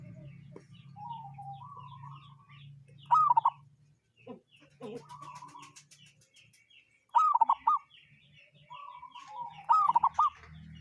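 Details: Local zebra dove making a strange call: loud, rapid curled coos in tight bursts about every four seconds, between softer flat cooing phrases, with faint high chirps and a low hum behind.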